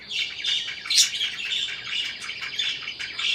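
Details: Parakeet chirping as a steady stream of buzzy, warbling chatter with one sharper, higher squeak near the middle.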